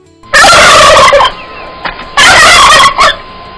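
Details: A domestic turkey on a farm gobbles twice, each a loud, rapid, rattling burst of about a second.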